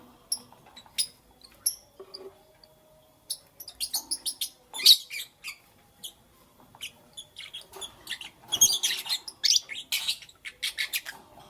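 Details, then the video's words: Morning lovebird chirping: sparse sharp chirps at first, building to rapid chattering runs of high scratchy notes toward the end. "Lovebirds Chirping Sounds"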